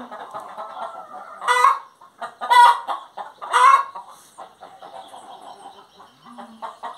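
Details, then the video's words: Singing hen gives three loud, harsh squawks about one second apart, preceded by a long low murmur and followed by softer clucking and a faint low drawn note. "Galinha Cantando"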